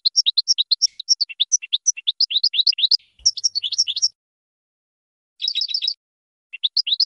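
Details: European goldfinch, a champion singer on a training recording for teaching birds to sing, pours out a quick liquid twitter of bouncing high notes for about four seconds, pauses, then adds a short rattling trill and another twittering phrase.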